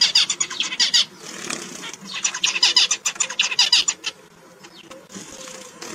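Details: Zebra finches (Taeniopygia guttata) chatter in quick bursts of nasal, buzzy chirps, with short pauses between runs.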